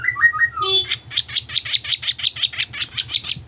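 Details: Sooty-headed bulbul lure sound for bird trapping: a few quick stepped whistles open into a steady series of harsh, scratchy chattering notes repeated about three times per second.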